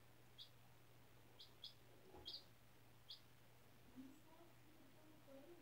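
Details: A 4-day-old domestic chick, hatched April 17 from a school class's incubator, indoors on fresh bedding, gives sparse short high peeps, some doubled, over a steady low electrical hum with faint rustling.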